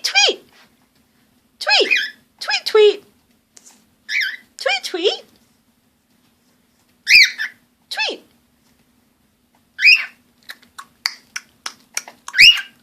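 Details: Pet cockatiel gives short, bright, downward-sweeping chirps and chatters in irregular bursts while a person repeatedly says "tweet" and talks to it.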